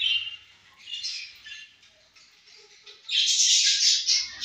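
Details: Pet budgerigars feeding and playing together: soft high warbling chirps fade to a quiet stretch, then a loud dense burst of scratchy, overlapping chatter in the last second and a half.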